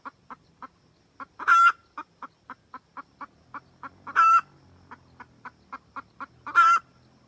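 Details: Wild red junglefowl hen calling the rooster, a recording used as a trapping lure: steady short soft clucks, about every quarter second, broken three times by a loud, harsh, drawn-out cackle with ringing overtones.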